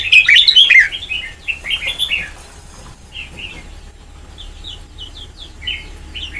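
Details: Red-whiskered bulbul, white-cheeked, trained toward the Sông Kon style: one loud bright warbled phrase opens, then softer, more distant chirping notes trail off in sparse short bursts.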